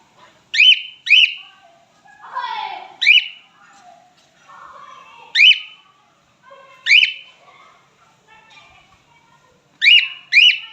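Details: Male cockatiel singing: sharp, rising whistled notes, mostly in pairs, repeated every one to two seconds, with softer, lower warbling and gliding sounds in between.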